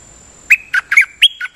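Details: Nok Dok Taeng song used as a decoy recording: a quiet start, then six short bright chirpy notes in quick succession, partly squawky with sharp onsets, over a faint steady high hiss.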